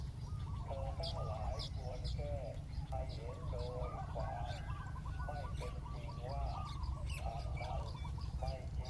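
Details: Decoy spotted dove calling down a wild bird to the ground. Mellow, low coos come in short grouped phrases throughout, with thin high chirps of small birds and a constant low background rumble.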